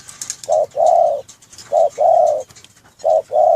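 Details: Caged spotted dove in a breeding enclosure giving three clear phrases of low, soft coos, each a brief note followed by a longer sustained one, repeated about every 1.3 seconds, with faint clicks in the background.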